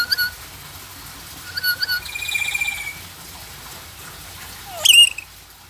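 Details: A pet black-capped lory that is taught to say "selamat sore" (good afternoon) gives short whistled chirps, then a buzzy, voice-like phrase, and ends with a sharp rising screech.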